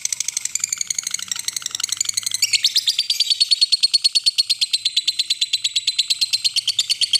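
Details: Lovebird ngekek, a long trill played as a lure to call a rival: a fast, even rattle of high buzzy pulses, about three per second, running without a break for over seven seconds.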